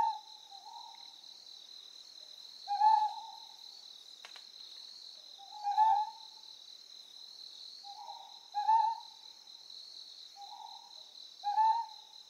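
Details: A Ryukyu scops owl on Amami Oshima, Japan, gives short, hoarse mid-pitched hoots, one about every three seconds, over a steady high-pitched insect drone.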